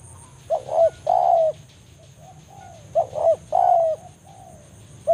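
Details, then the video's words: Forest spotted dove calling a rival with the banggo lure style: two full phrases of paired short coos and a long drawn coo, soft distant coos between, a third phrase starting at the end. "cara pikat BANGGO full memanggil lawan di hutan"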